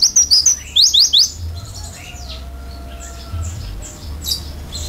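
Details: Oriental white-eye giving a fill-in style song: a brisk burst of sharp, high whistled notes in about the first second, then mostly quiet with faint distant chirps and a low hum.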